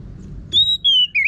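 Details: Orange-headed thrush whistling in lure song for training other birds to sing: a bright, level whistle, a slightly lower one, then a short dipping, rising note.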